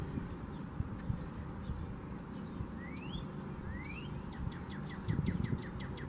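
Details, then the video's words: Female brown-headed cowbird singing: two thin rising whistles, then a quick, dry chatter of about nine notes, over a steady low rumble. "Female Brown-headed Cowbird Singing"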